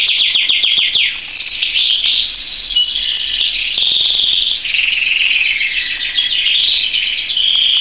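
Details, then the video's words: A Belgian canary sings a long, loud, unbroken warble of rapid trills, rolls and high whistled notes, shifting pitch every second or so. "Vogi der kanarienvogel"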